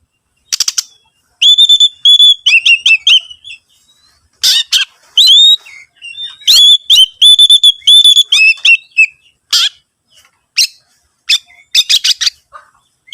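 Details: Oriental magpie-robin song used as a lure to prompt other birds to sing: energetic bursts of high whistled notes mixed with harsh buzzy rattles and sharp clicks, delivered in short separated phrases with brief silent gaps between them.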